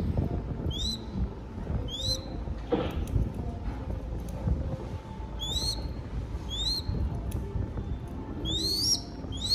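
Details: Crested goshawk chick in Cambodia calls while being fed: sharp rising whistled notes in loose pairs and short runs, growing louder toward the end, over a low hum and faint background noise.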